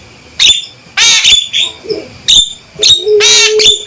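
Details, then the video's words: Male Javan myna giving loud, sharp, clear calls: a harsh, raspy burst, a longer grating rattle, then more short harsh bursts, one of which runs into a steady low tone. The calls come in uneven groups of two or three within four seconds. "Panggilan Suara Burung Jalak Kebo Jantan Gacor & Lantang"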